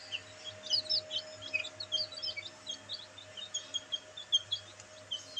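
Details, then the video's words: Black bantam chicks basking in sunlight, chirping constantly: many thin, high peeps, several overlapping, repeated several times a second throughout, with a faint low hum beneath. "Bantam Chicks Enjoying sunlight |Black Bantam Chicks |Chicks Chirping Sound"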